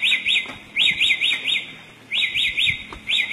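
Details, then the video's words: A samyong in the forest gives rapid, buzzy, high-pitched phrases in quick bursts, separated by short pauses. "suara burung samyong dihutan sungguh indah"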